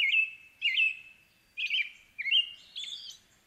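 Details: Whistled caroling from an American robin, five looping slurred phrases about half a second apart, the last ones higher and squeakier.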